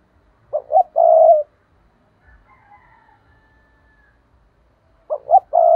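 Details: Spotted dove lure call for trapping, 'thúc' style: one full phrase of two brief coos and a long vibrating croon, faint wavering tones in the pause, and a second phrase starting at the end.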